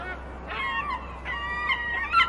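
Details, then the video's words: Gulls waiting for fishing boats to arrive: harsh, nasal, wavering cries overlapping one another, rising and falling, with a steady low hum beneath. "Son de mouettes"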